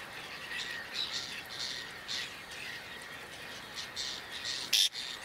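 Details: Whiskered tern (Chlidonias hybridus) in Toledo province, Spain, in June 2022, gives one loud, harsh rasping call near the end, after a series of fainter, scratchy notes repeated about twice a second over a steady hiss.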